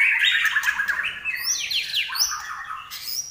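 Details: Energetic Common iora song from Indonesia, a caged bird: an opening stretch of dense, scratchy chatter gives way to quick, high, sweeping whistles and falling slurs.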